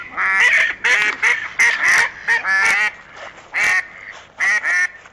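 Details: Several ducks giving rapid, loud, nasal quacks in quick bursts, some calls overlapping in a lively chorus.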